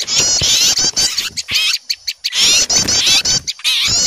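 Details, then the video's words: Small birds frightened by an owl, producing excited, high-pitched, wavering scolding calls in short bursts, interspersed with brief harsh chips and quiet gaps. "Suara pikat burung kecil ribut takut melihat burung hantu"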